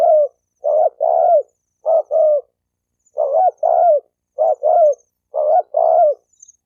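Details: Spotted dove cooing steadily, intended to provoke males and females to coo and fight: paired low notes, a short one then a longer downslurred one, repeated about once a second in a clean recording.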